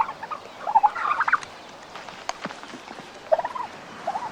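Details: On a farm on a chilly February morning, a male turkey squares up for a dominance fight with a rival, its red wattles swelling in anger. It gives two rapid, bubbling gobbles, the first longer and rolling, with sharp knocks between.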